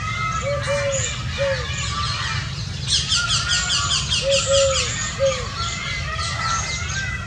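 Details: Indian scops owl family: short, low, slightly arched hoots in loose pairs and singles, with a pause between groups. Dense high chirping and trills from other birds fill the background.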